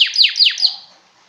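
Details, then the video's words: Male yellow pet domestic canary giving a short burst of four quick descending high sweeps, each a sharp downward slur, fading out after under a second. "Yellow Canary Singing - Domestic Canary bird singing"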